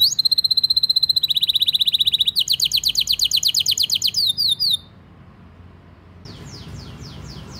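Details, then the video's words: Canary singing a fast training song for young birds, in the rolling gacor style: several rapid trills at changing speeds, a sudden stop, near silence, then a soft series of descending high sweeps. "Kenari Gacor Speed RAPAT cuit cuit Ngerol Tajam 99% Ampuh untuk Pancingan Kenari Paud Belajar Bunyi"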